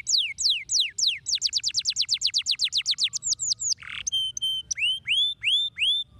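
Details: Singing canary used to prompt other canaries to sing: a quick series of down-slurred whistles accelerating into a rapid trill, a short harsh note, then evenly spaced upward-curving chirps.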